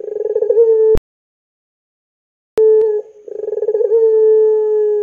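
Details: Lure call of a puter pelung dove, used to set young doves singing: a short rolling coo, a silent gap, then a brief note and a longer coo that starts with quick pulses and settles into a sustained, even tone.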